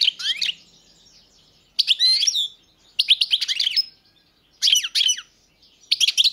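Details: European goldfinch singing in short bursts of rapid, tinkling twitters and liquid slurred notes, separated by brief silences, about five phrases in six seconds.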